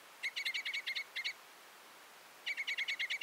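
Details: Common crossbill delivering rapid strings of metallic, clipped notes, about seven in quick succession. A silent gap of over a second follows, then another fast run of similar notes.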